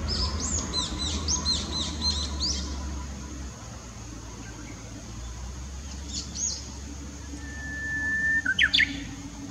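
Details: Japanese bush warbler at Komatsugaike pond, 16 June 2016: another bird first gives a string of high, arched chirps, then near the end the warbler sings a level whistle followed by a fast, sharp flourish; low traffic rumble throughout.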